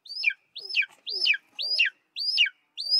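Golden eagle giving a series of six thin, high yelps, each rising briefly then sliding down, about two per second.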